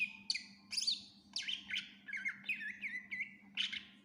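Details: Greater green leafbird, or cucak ijo, giving gacor song packed with isian fills: high piercing whistles, then a chain of looping, bubbly down-up notes sliding lower, ending with a sharp burst; steady hum underneath.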